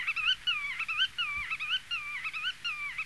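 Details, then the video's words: Black-tailed godwit giving nasal, wavering calls that rise then fall, repeated in quick runs of about one or two per second, against a faint low background hum. "geluid grutto"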